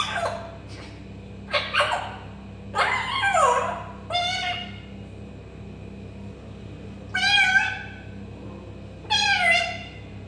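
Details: Imitated meows from an African grey parrot, a mix of brief clipped yelps and longer wavering mews spaced irregularly across ten seconds, with a constant low hum beneath.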